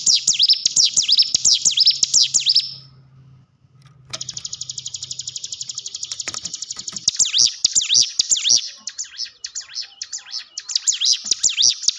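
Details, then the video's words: Lure song of a hill prinia for stimulating cage birds: sharp zigzag whistles swooping up and down, a pause, then a long even buzzy trill that breaks back into rapid looping whistled phrases, with a low hum underneath. "ciblek gunung diam saja kurang loss mental ciut latih dengan pancingan ini"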